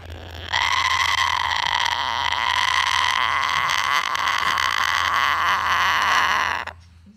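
A cockatoo gives one long, harsh, steady screech lasting about six seconds, loud and raspy throughout, over a low background hum.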